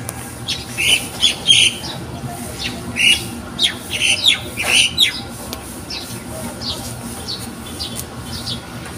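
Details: Birds calling in the morning: a string of sharp, high chirps and squeaks in quick groups over the first five seconds, then quieter with only occasional faint notes.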